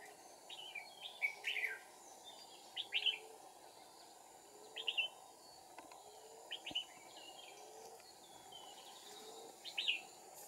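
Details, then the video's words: Red-whiskered bulbul decoy singing during trapping, recorded 2 April 2019; short bright warbled phrases of a few rising and falling notes, repeated every one to two seconds over a steady low hum. "Bẫy chào mào Bổi kim bôi mào cao vút kẹp 2 mồi"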